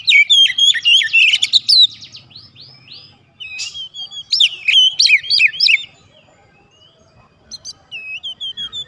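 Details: Lure song of a white-rumped shama for prompting other birds to answer: two bursts of rapid, varied whistled phrases with bright upslurs and trills, separated by a quiet gap, then a few short whistles.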